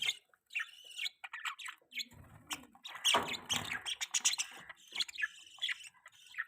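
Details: Budgerigar mating chirps from pet birds: continuous busy chatter of squeaky notes, clicks and high warbles, growing louder and denser in the middle, with brief gaps between phrases.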